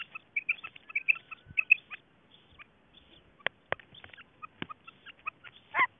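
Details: Female quail associated with quail hunting: short, high chirped notes, often doubled, repeated quickly for about two seconds, followed by scattered sharp clicks and brief knocks.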